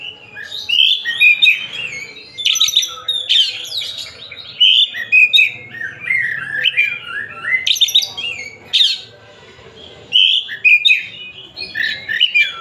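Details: Long varied song of a white-rumped shama, Tasikmalaya type: sharp sweeping bursts, chattering runs and melodious whistles alternating over twelve seconds, with short pauses between phrase groups.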